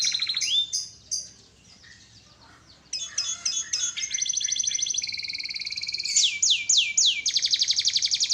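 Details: Canary song opening with sweeping whistles, a brief pause, then long rapid rolling trills and steep downward slurs, ending in a fast buzzy trill.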